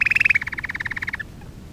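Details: A canary (Serinus canaria) sings a training-lesson song: a quick run of about eight bright, high notes, then a slightly lower rolling trill of about twenty pulses, ending abruptly.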